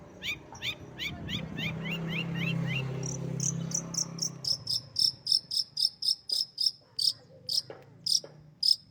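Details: Pet long-tailed shrike in lively song: a run of quick descending whistled notes, then a steady series of short sharp high chips repeated about twice a second, over a low hum.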